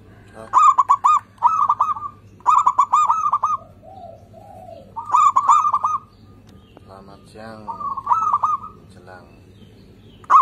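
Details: Zebra doves of a local strain singing, a lure recording for doves that rarely sing: clustered bursts of rapid trilled coos, a soft lower purring phrase midway and other bird calls near the end.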